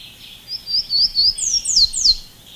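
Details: Golden-crowned warbler (Basileuterus culicivorus) in Costa Rica gives four quick, thin upslurred notes, then three longer, high whistles sweeping steeply downward, all within about two seconds. Faint background hiss.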